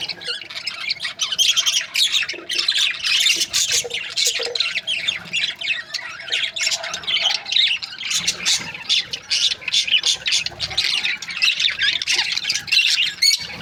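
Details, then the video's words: Many budgerigars kept as breeding pairs squawk and chirp without pause, harsh high notes and fast warbles layered in a steady noisy chorus, a faint hum underneath. "Budgies parrot chirping sound"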